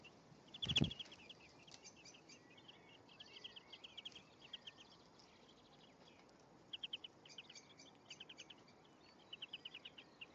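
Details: Male and female European greenfinch together at a nest in May; bursts of rapid high chirping notes in short runs recur through the recording, with one loud knock near the start and low steady hiss.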